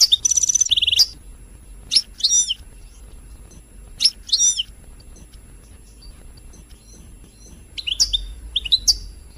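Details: Goldfinch singing to provoke song: a dense tinkling burst at the start, followed by scattered single sharp chirps and short twitters with long pauses between, ending in a brief cluster of high notes.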